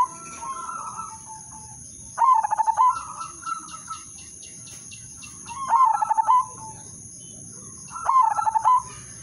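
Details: Udanmas silver zebra dove lure song for drawing other doves into song: three loud rattling coo phrases about three seconds apart, followed by softer level coos and a ticking series of faint clicks, with a constant high whine.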